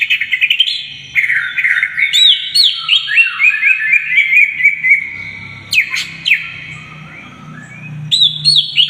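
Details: Greater green leafbird full song for training young birds: bursts of quick chirps, then a rolling series of whistled loops repeated about four times a second, then scattered sharp high notes over a low hum.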